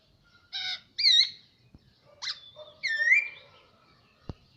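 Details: Caged hwamei kept for around a year, singing scattered phrases of rich harmonic notes and looping slurred whistles with pauses between, ending with a single sharp click.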